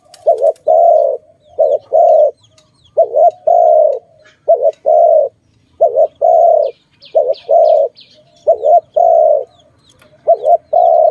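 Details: Dove cooing, linked to bird trapping: a repeated two-part phrase, a short wavering note then a longer steady hoot, about nine pairs in quick succession, with faint high chirps from other birds in the background.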